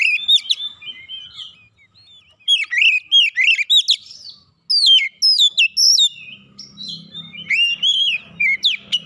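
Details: Aggressive challenge song of a provoked oriental magpie-robin: repeated loud, sharp whistled phrases with falling slurs and clicks, sung in quick bursts, with a faint low hum later.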